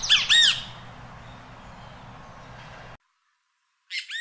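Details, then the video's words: Costa Rican Great Kiskadee calling during feeding: a loud harsh burst of rapid arched notes, a quieter stretch with low hum, sudden silence, then another sharp burst at the end. "Great Kiskadee Calling and Feeding"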